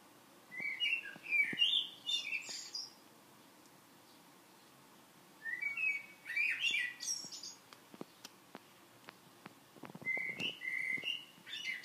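A common blackbird sings three unhurried phrases, each a mellow fluted warble ending in a higher squeaky twitter, with pauses of a few seconds between. Faint clicks sound in the background.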